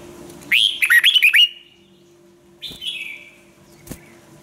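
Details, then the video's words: Red-whiskered bulbul song for training other birds: a rapid lilting phrase of about six quick up-and-down whistled notes, followed after a pause by a shorter descending note and a sharp click. "chào mào luyện giọng hót hay"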